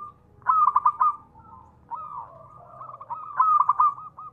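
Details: Local zebra dove (perkutut) used as a lure: two sharp bursts of quick staccato notes, each about half a second long, with a wavering soft cooing trill between them.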